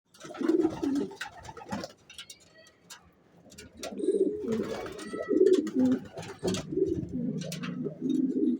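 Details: Racing pigeons giving low, rolling coos in overlapping bursts, with a quiet pause near the middle before the cooing resumes, steadier and fuller. Faint clicks and sharp ticks are scattered above.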